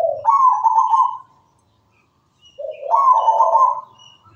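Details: Singing local zebra dove, kept bird in lively voice: two mellow cooing phrases with a short rising opening note then a rolling, vibrato-like coo, separated by about a second of silence.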